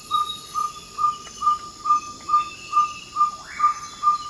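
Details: Ferruginous pygmy owl in the Ecuadorian Amazon before dawn, advertising its territory with a regular string of single-pitched 'toop' whistles, roughly two per second; a brief rising swept call from another bird overlaps near the end, amid insect buzzing.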